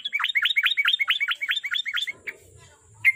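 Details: Sooty-headed bulbul, recorded to lure a kept bird into frequent song: about ten rapid, sharply falling chirps in two seconds, followed by quiet, one lone note and a closing sharp call.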